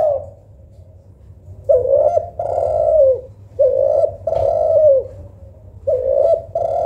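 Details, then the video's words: Spotted dove, local tekukur, compared with a Kelantan derkuku for softness and melody: soft, low, mellow coos in phrases of several notes with a longer rolling middle note, repeated about every two seconds, over a faint low hum. "Tekukur Lokal Vs Derkuku Kelantan ‼️ Manakah Yang Lebih Syahdu & Merdu Yah Lur ?"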